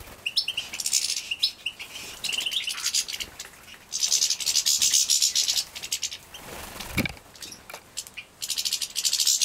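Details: Young captive-bred European goldfinches being fed in Poland, 2017, give a dense chorus of high, hissing, shrill chirps in surging bursts, with soft rustling and a brief low thump partway through.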